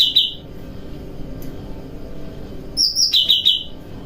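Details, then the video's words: Bulbul called cucak rante, bathing at night and singing cheerfully during kapas tembakan and besetan training; a short low trill opens, a quiet gap follows, then a high trill drops into a rapid lower trill. "Burung Cucak Rante Mandi Malam Sambil Berkicau Riang Gembira , Latihan Kapas Tembakan Dan Besetan"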